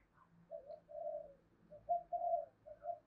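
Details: Spotted doves responding to a lure call: soft, steady hollow coos in short bursts, with a faint low hum underneath.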